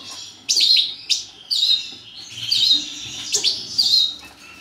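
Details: Captive-bred European goldfinch of subspecies major giving short bursts of twittering, tinkling notes separated by brief gaps, with a few sharp chips between phrases.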